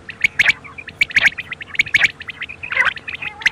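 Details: Quail at night giving rapid, clipped, whistled triplets over and over, roughly every 0.8 seconds, with a brief harsher nasal note midway and a low electrical hum throughout.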